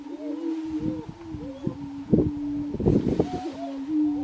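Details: Lekking grouse in Colorado, 2023: a steady low droning hum runs throughout, with short arched whining notes layered above it and bursts of dull popping and clucking sounds near the end.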